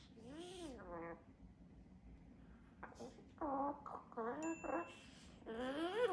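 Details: A talkative pet double yellow-headed amazon (Amazona oratrix), 3 years 8 months old, talks in short bursts of word-like syllables with rising and falling inflection, praising itself, broken by a brief thin high whistle, in a quiet room.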